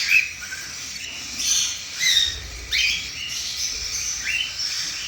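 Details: Cockatiel chicks give harsh, raspy begging calls in quick, uneven bursts while their mother feeds them.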